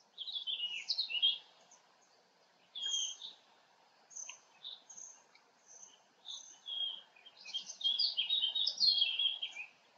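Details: Black stork chicks at a nest in Poland on 3 July 2020 give high, squealing, wheezy begging calls to summon a parent in uneven bursts, pausing and resuming; a hawk arrived instead. A faint, steady rural hum sits underneath.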